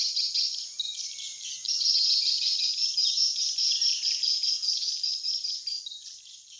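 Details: Swiftlets in an 'air attack' lure recording meant to draw flocks to a swiftlet house: unbroken high-pitched twittering mass, swelling louder after the first couple of seconds and fading slightly near the end.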